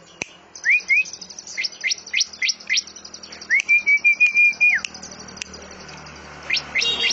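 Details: Greater green leafbird singing in a canary-flavoured style, mixing in cililin and lovebird phrases: upward-sweeping whistles, a sustained wavering whistle, and a continuous high thin trill running behind the notes.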